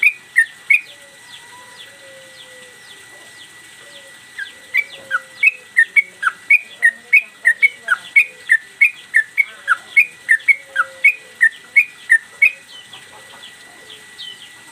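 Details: Trucukan, the yellow-vented bulbul, singing energetically with tail-swinging as a master recording for cage birds: scattered whistles, then a long run of bright, quick, repeated whistled notes, several each second, with a faint steady background tone.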